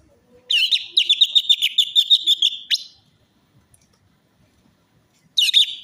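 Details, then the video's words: Orange-headed thrush singing, used as a lure for a bird that will not sing. A long run of fast, repeated high chirping notes lasts over two seconds, then silence, then a new burst begins. "pancingan Anis merah macet bunyi,males bunyi atau stres"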